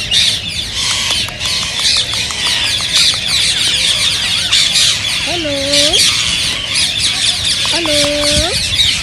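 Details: Indian ringneck parakeets in a dense, high-pitched chattering chorus said to stir others to sing and mate. Short clicks sound early, and two lower, drawn-out harmonic calls from another bird come near the end.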